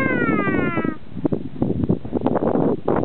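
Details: A kea at the Punchbowl Falls car park, Arthur's Pass, New Zealand, answers a person's imitation with one drawn-out, slightly falling, mewing wail of about a second, followed by rough clattering and rustling noises.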